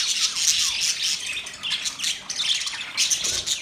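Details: Budgies chirping and talking together in mating sounds: thick, grating high squawks and warbles from several birds, pulsing roughly every half second, with an occasional sliding down-slurred note.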